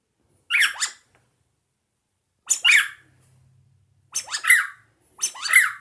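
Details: A pet cockatiel sings to a squeaky rubber duck toy on first encountering it: short bursts of bright, warbling whistles with rising and falling squeaky notes.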